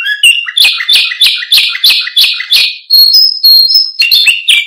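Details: Canary used as a singing tutor for other birds: a fast regular series of loud buzzy chirps, about three per second, followed by high pure whistled notes and a final buzzy trill.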